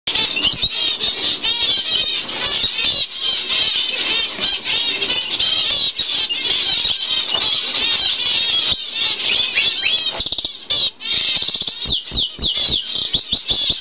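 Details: Normal zebra finch pair, bred in the UK in 2011 and recorded in November 2011, giving dense, continuous nasal beeping calls that overlap in rapid chatter, with brief gaps and sharper repeated notes near the end.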